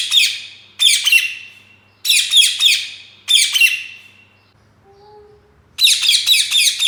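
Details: Green ringneck parrot in a cage chirping actively: four loud rasping bursts of rapid scratchy notes, about a second each, a short pause with a faint low tone, then another harsh burst.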